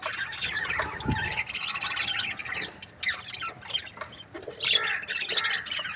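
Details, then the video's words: Budgerigars in breeding pairs chatter with high scratchy warbles and chirps, broken by a low thud early on and a short pause midway. "Amazing budgie chirping sound | breeding pairs"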